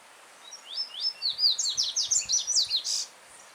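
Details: Wild yellow-bellied seedeater singing strongly in nature, a stream flowing among rocks behind: a fast, firm phrase of clear, high, well-marked slurred notes, about a dozen in under three seconds, ending on a buzzy note, over soft water hiss.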